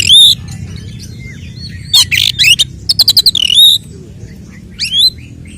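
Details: Oriental magpie-robin delivering 'tarung konslet' fighting song as a provoking lure for other males; sharp whistled upslurs separated by pauses, a quick train of clipped staccato notes, and a falling whistle.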